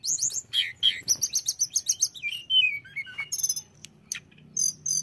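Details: Blue flycatcher song, played to make any kind of flycatcher quickly agitated: rapid high chirped notes and fast trills, then a clear whistle sliding downward, ending in short sharp high notes with quiet pauses between.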